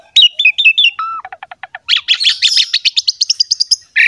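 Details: Javan pied myna song intended to set other mynas singing: a few quick chirped phrases and a lower whistle, followed by a fast, steady series of sharp repeated notes climbing higher in pitch.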